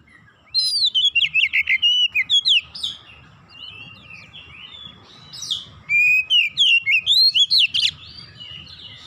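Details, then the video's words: Oriental magpie-robin song: rapid bursts of loud whistled and chattering notes, varied and slurred, in two runs of about two seconds each separated by softer twittering, with a steady low hum underneath. "TERAPI MASTERAN KACER BAHAN"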